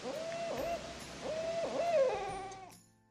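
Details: Barred owl; hoot; female answering the male's courtship hoot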